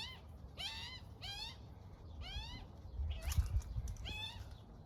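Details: A baby Australian magpie with its mother in the morning, being fed by her, gives harsh, wavering begging squawks about once a second, each a rasping rising-falling note, over low rumbling background noise.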